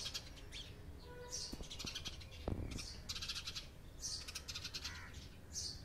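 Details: Busy chatter of house sparrow chirps, overlapping sharp notes in quick irregular clusters, with a few clicks and a brief thud midway against a low rumbling background.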